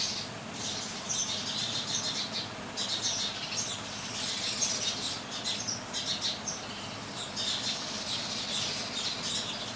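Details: House sparrow from India: dense, continuous high chirping from several birds overlapping throughout, bright short tweets with no pause and a steady low background hum beneath.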